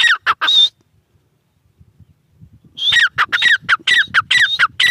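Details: Teetar (grey francolin) with a few sharp notes, a silent gap, then a resumed burst of quick, harsh, high-pitched falling phrases, somewhat irregular in rhythm.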